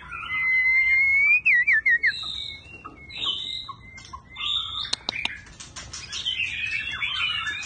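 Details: White-rumped shama song with a continuously changing voice: it opens with a loud, pure rising whistle that breaks into a wavering trill, followed by varied warbled phrases and a few sharp clicks.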